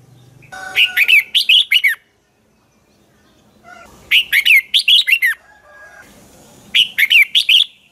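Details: Dueling song of a red-whiskered bulbul used as a lure bird for training: three bursts of five or six quick, loud, sweet whistled notes falling in pitch, with faint softer tones between bursts.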